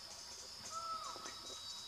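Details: A juvenile Great Black Hawk singing near San Blas on Mexico's west coast in 2001 gives one brief, clear ringing whistle that holds level, then slides downward, while a steady high insect-like hiss runs underneath.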